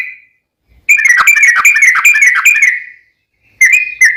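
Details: Yellow-vented bulbul rapid song used to draw replies from other bulbuls: a two-second burst of quick chattering notes fading out, silence, then the start of another bright whistled phrase.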